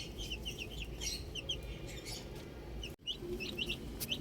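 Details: Baby chicks outdoors chirping: short high peeps in quick irregular runs, with a brief drop-out near the three-second mark and steady low background rumble.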